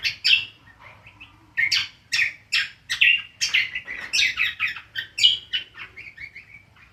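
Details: Ngriwik song from a cucak kombo, the greater green leafbird: a nearly continuous stream of harsh chirps and warbled twitters, running at a fast, uneven pace.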